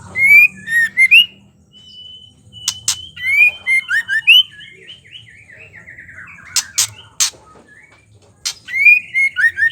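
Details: Female white-rumped shama's chattering song, meant to provoke males to sing: bursts of short slurred whistles alternating with harsh rasping bursts, some brief sustained tones and quieter gaps between phrases.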